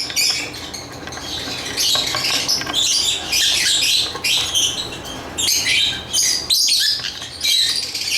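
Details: Busy chirping from lovebirds: shrill squeaks and scratchy tweets come in uneven waves, with a couple of softer dips between louder bursts.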